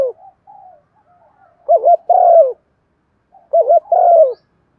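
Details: Spotted dove calling to excite a decoy dove into cooing: soft short murmurs, then two loud phrases about two seconds apart, each two quick warbled notes followed by a sustained falling coo.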